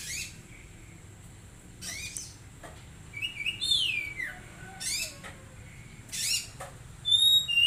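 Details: Oriental magpie-robin kept as a caged songbird, mixing harsh buzzy bursts with sliding whistled notes that sweep downward, the phrases spaced irregularly over a quiet background.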